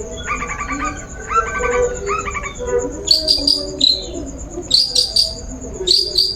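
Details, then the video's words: Long-tailed shrike lure song, played to draw a bird into singing: soft harmonic phrases give way to sharp, high chirps in quick clusters, over a steady high-pitched whine. "Suara Pancingan Burung Cendet"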